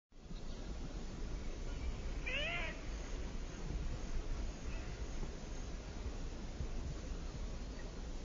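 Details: Ringed teal, a small duck, giving a single soft, rising, cat-like mewing note with clear harmonics, lasting about half a second, over steady low background rumble.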